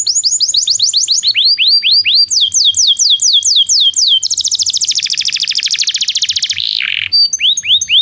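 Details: Belgian canary song used to train non-singing canaries: a fast series of rising-falling whistled sweeps, then shifting down into repeated slurred notes, a rapid buzzy trill and a final burst of sweeping phrases.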